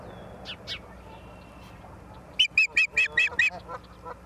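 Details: Osprey filmed by a live camera in Charlo, Montana, on 28 September 2023 at 17:45; after a few faint notes, a rapid run of about six loud, piercing whistled chips, then softer trailing calls.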